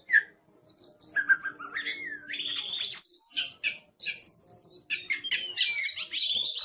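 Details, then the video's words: Oriental magpie-robin (kacer) in fierce master-song mode, a medley of sliding whistles rising and falling, clear swoops mixed with quick chattering notes that build in loudness toward the end. "Suara Master Burung Kacer Galak"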